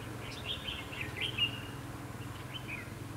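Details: Short sweet warbling phrases from a Red-whiskered bulbul acting as a decoy at a fighting trap, a few slurred notes in quick succession, over a low steady hum.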